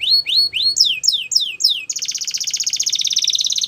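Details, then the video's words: Belgian canary, song for training young canaries: rising then falling slurred whistles repeated about every quarter second, followed by a long rapid buzzy trill. "Belgian Canary Singing | The Best Canary Training"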